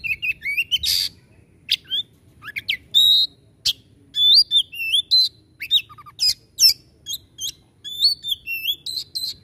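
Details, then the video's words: White-rumped shama singing in 'tembakan' style, a rapid, varied string of looping whistles, sharp chips and noisy rasping bursts, nearly nonstop through the clip. "Suara Tembakan kacer Gacor"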